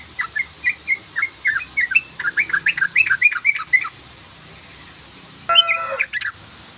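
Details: Sooty-headed bulbul giving 'ropel' rapid chirping, used as a lure call: a fast run of bright, bent chirps that speeds up and crowds together, then a pause before a short, harsher burst of notes.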